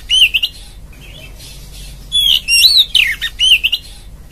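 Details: Female oriental magpie-robin calling the male: clear whistled notes that rise and fall in short, rich phrases, some looping up and down, separated by brief pauses, over faint low background hum.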